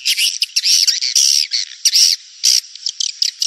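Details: Edible-nest swiftlet lure call for the rainy-season breeding period: loud, buzzy, rasping chirps in quick irregular bursts, some with a whistled upper tone, separated by short pauses.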